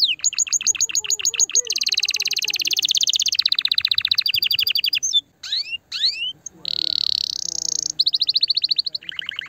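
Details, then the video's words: Canary song played to stimulate a female and encourage mating: rapid trilled tours of repeated notes, high buzzy rolls and descending whistled sweeps, switching tempo every second or two. "Chant de CANARI pour STIMULER la FEMELLE"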